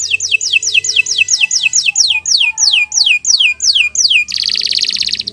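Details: Canary singing a long training song: a series of about eleven loud, steeply descending whistled notes repeated at a steady pace, ending in a fast buzzy trill.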